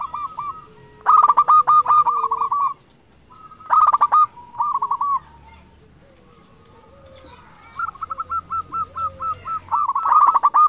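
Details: Local zebra dove calling out to rivals as a lure: rapid trains of short, bouncing coo notes, some runs long and steady, others broken off, over a quiet background.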